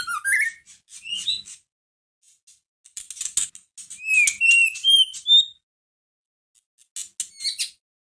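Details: White-rumped shama provoking song for a caged bird: rising whistles and high clicks, a run of bright whistled notes in the middle, then brief chatter.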